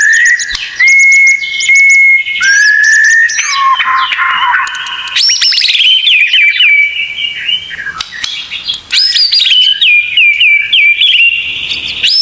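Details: Tutor recording of White-rumped shama song with full shot-style fillings: long steady whistled notes, then rising sweeps and quick chattering trills, loud and continuous, with brief high rattles mixed in.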